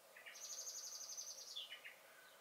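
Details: Common blackbird singing in a garden on 23 May 2021: a brief phrase opening with two low notes, then a long, thin, high whistled strain with a rapid flutter, dropping back to lower notes at the end.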